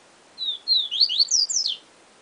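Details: Single 'siu siu professor' phrase from a yellow-bellied seedeater: two smooth whistled notes, then a brisk series of downslurred notes and higher sweeps, about one and a half seconds long.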